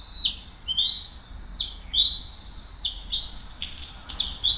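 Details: Nest-camera recording of bald eagles at Hays, morning of 20 June 2023, adult female bringing the second fish and feeding the eaglet: short, sharp, high chipping whistles in an uneven burst of about seven notes.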